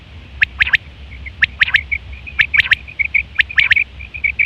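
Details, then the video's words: Quail call recorded in September 2023, used for hunting and mating: bursts of two or three sharp, high, clicking notes about once a second, linked by a thin trilling chatter, over low background hum. "Quail fresh sound sep 2023/ batair ki awaz"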